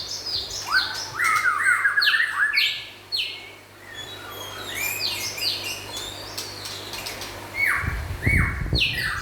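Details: White-rumped shama, local and forest birds, pouring out a busy song of rapid trilled notes and repeated falling whistles, about two phrases a second, followed by a low thud near the end.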